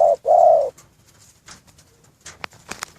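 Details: Caged spotted dove kept for breeding: two low mellow coo notes, a short one then a longer one, followed by quiet and scattered clicks and knocks from the cage.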